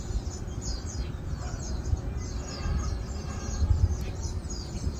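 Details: Asian glossy starling, recorded 4 August 2022: many short, sharp high chirps and squeaky notes overlapping in a steady stream over a loud low rumble of background noise.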